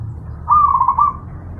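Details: A single brief zebra dove phrase from a bird-training master recording: a rapid, bubbling string of cooing notes, loud and clear above a faint low hum.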